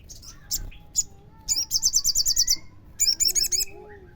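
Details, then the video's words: Crimson sunbird lure song meant to draw other sunbirds into singing. Short high clicks lead into two fast runs of piercing, evenly spaced trilled notes, about eight per run. A faint lower whistle sounds underneath. "suara pancingan sogon gacor"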